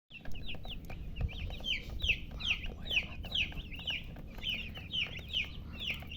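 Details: Baby chickens chirping as a group, many high, downward-slurred peeps overlapping in quick irregular succession, over a low steady background rumble.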